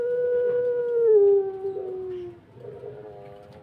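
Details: A puter pelung turtle dove gives one long, low, sustained coo that slowly falls in pitch and fades after about two seconds, followed by a softer murmur.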